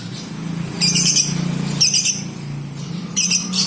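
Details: Female lovebirds of a colony in 'konslet' chatter: three short, harsh, rasping bursts set against a constant low droning hum.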